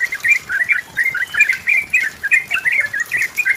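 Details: Sooty-headed bulbul in energetic, rival-pressing song used as a lure to prompt another bulbul to sing: a rapid string of bubbly, warbled notes in short bursts, rising and falling, with a faint hiss behind.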